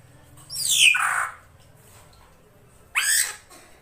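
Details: Female drongo call used in Indonesia to lure a male: one long, harsh, downward-sliding squawk, a quiet gap of over a second, then a shorter rasping note, over faint low background hum.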